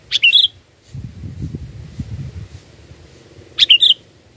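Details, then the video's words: Sooty-headed bulbul lure song: two quick bubbly whistled phrases about three seconds apart, with a low rumbling noise between them. "Pikat Burung Kutilang ISTIMEWA"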